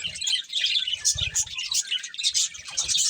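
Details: Budgies from a breeding pair twittering in quick, high chirps and warbles, sharp squeaky accents over soft low fluttering sounds.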